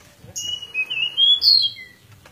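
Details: Pied bushchat singing in fight mode: a short phrase of clear, drawn-out high whistles, one note rising then another falling, delivered loudly over a quiet background hum.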